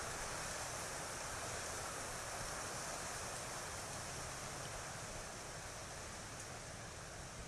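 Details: Steady broadband rushing wind noise fills the recording throughout, with no animal calls audible.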